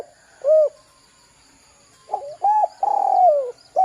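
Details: A lone short coo, a pause, then a full spotted dove phrase: stuttering notes, a clear coo and a long rolling note gliding downward. The phrase serves as a lure to draw calls from young birds.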